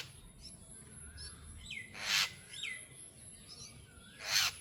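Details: Jungle myna calling: two harsh, noisy bursts a little over two seconds apart, with faint downslurred whistled notes between them over a steady low background rumble.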